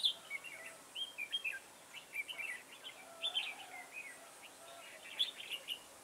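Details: Red-whiskered bulbul used as a trapping decoy, 9 October 2017, delivering a steady stream of short whistled, chirpy phrases with slight pauses between groups.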